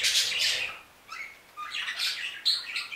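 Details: Budgerigars kept in an aviary giving scratchy, twittering squawks in uneven bursts separated by short gaps, some notes sharp and clicking.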